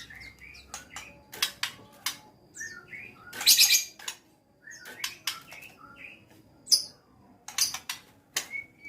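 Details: A white-rumped shama being prepared for a field contest sings short whistled notes and slurs at mid-high pitch, mixed with hard clicks and a loud rasping burst partway through.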